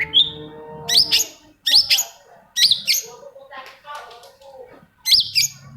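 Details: Long-tailed shrike singing, used to encourage shrikes that have gone quiet: loud, abrupt squeaky notes with harsh edges in pairs, separated by short gaps filled with soft chattering.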